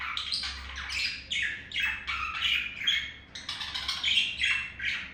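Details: Male pet budgerigar courting a female: fast, gravelly warbling of chirps and squeaky downslurred notes, nearly nonstop over five seconds, with a steady low room hum.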